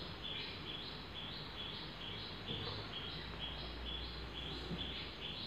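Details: A wild common hill myna, injured and being cared for, gives short, high chirps about twice a second while being fed fruit, over a steady background hiss and low rumble.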